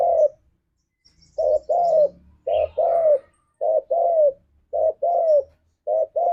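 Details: Spotted dove singing in the forest-style manner called ngalas, used as a lure to get a pet dove to answer and sing. Short low coos come in pairs and singles about every second, with faint background rustle.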